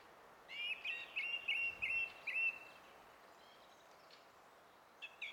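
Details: Song thrush in song on 20 April 2016, giving a quick series of six short whistled and chipped notes over about two seconds, then falling quiet apart from two brief notes near the end, with steady background hiss.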